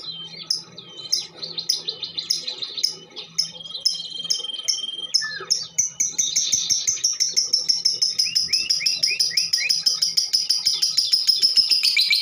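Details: Female lovebird giving calls used to set other birds singing; scattered sharp notes and a steady whistle shift into a long, very rapid buzzy trill of about three notes per second.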